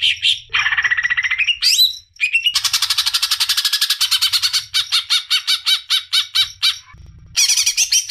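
A greater green leafbird pours out a loud, varied song of squawks, whistles and rapid chattering trills.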